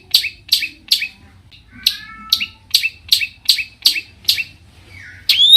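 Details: Long-tailed shrike singing to stir other shrikes: harsh descending notes in an uneven series, a soft whistled slur midway, ending on a sudden loud rising note.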